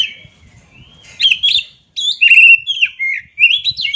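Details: Oriental magpie-robin singing a rich run of clear whistles, quick slurs and warbled notes. The notes rise and fall sharply with brief pauses between them, over faint low background rumble.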